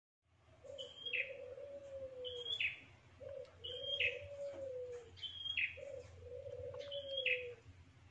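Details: Prinia lure call, played to draw other prinias close for catching breeding stock: bright whistled notes each dropping into a buzzy downslurred chirp, repeated about every 1.5 seconds, over a lower drawn-out cooing tone and faint low hum.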